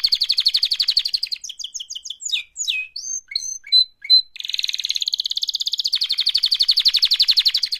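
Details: Canary singing an active mating call: a long fast trill, a run of chirped and downslurred notes, short whistles, then another sustained rapid pulsing trill, loud and high.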